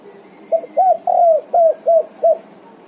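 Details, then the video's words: Vocal spotted dove answering its companions with one phrase of six mellow coos, a short opening note, then a long sliding middle coo and three clipped closing notes, with faint steady background noise. "SEDETIK LANGSUNG NYAHUT!! TEKUKUR GACOR"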